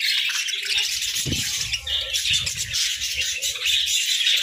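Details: Budgerigars munching grass and moringa in winter, warbling in an even wash of high chirps, with a brief low crunch early on and soft feeding sounds after.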